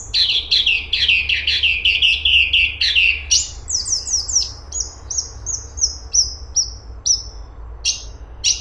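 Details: Grey-cheeked bulbul (cungkok) starts with a fast, throaty chattering trill at middle pitch. It breaks into a rapid series of high, clear downslurred whistles, about three per second, then isolated sharp chirps.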